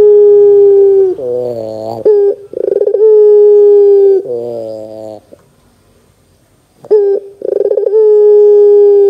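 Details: ['Barbary dove lure recording meant to prompt young doves to answer: long level coos alternate with rapid rolling, stuttered notes, separated by a brief quiet gap near the middle.']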